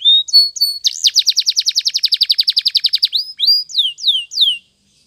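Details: Morning song of a Spanish Timbrado canary for canary training: a few rising whistles, then a long, rapid, evenly pulsed rolling trill lasting about two seconds, closing with several downward sweeps before silence.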